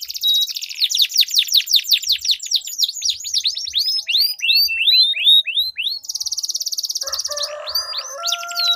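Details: Two canaries singing against each other in a long rolling song used as a lure to get silent canaries singing: rapid high downslurred notes in quick runs, then a steady buzzy trill near the end, with a lower tonal hum underneath.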